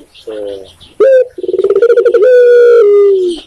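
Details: Spotted dove from Indonesia, locally tekukur, giving a faint low coo, then a sharp loud note, a rapid rolling burr and a drawn-out coo gently falling in pitch at close range.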